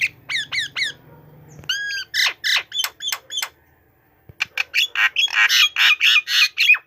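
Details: White-rumped shama perched tame on a person's hand, singing loudly: sharp repeated chirps, then rich varied whistles with rising and falling sweeps and buzzy bursts, delivered in quick runs with brief pauses.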